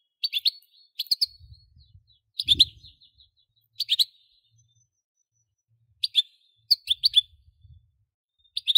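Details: European goldfinch singing: short scattered bursts of high, tinkling twittery notes every second or so with brief silences between, over faint low rumbling background noise.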